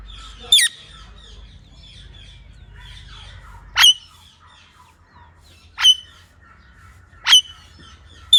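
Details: Parrot, a talking pet bird, repeating single short harsh shrieks about every one to two seconds. Soft chatter and a faint background hum sit between the loud calls.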